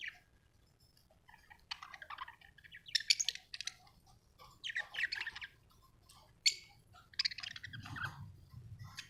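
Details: Soft budgie chirps come in scattered bursts of sharp squeaks and buzzy warbles with pauses between, followed by a low muffled rumble near the end.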